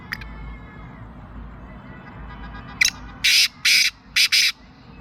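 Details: Black francolin from Sindh, Pakistan: after a faint note near the start, a rough scratchy phrase of one short burst, two drawn-out grating notes and a closing pair of short rasps. Low background hum.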